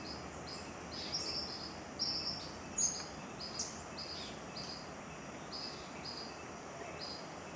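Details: Striped manakin (Machaeropterus regulus) at Cocorna, Magdalena Valley, filmed on a November trip, gives short, high, thin notes in an uneven series over a steady high insect hum and soft forest background.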